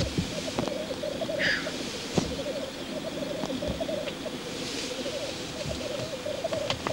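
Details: Black grouse courtship display at a lek: a steady low bubbling, cooing chorus runs without pause through the whole stretch, with a brief higher hiss near the start and a few faint clicks.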